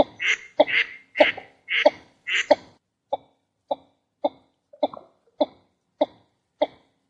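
A Northern Shoveler gives about a dozen short, nasal notes, roughly two per second: the first few harsh and raspy, the rest clipped, hollow 'took' sounds.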